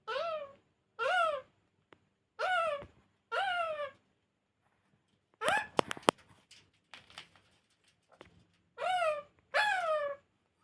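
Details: Talking pet parrot indoors producing short, arched, whining syllables, each rising then falling. They come in pairs, with a cluster of sharp clicks and knocks in the middle. A person says "hey" just afterward.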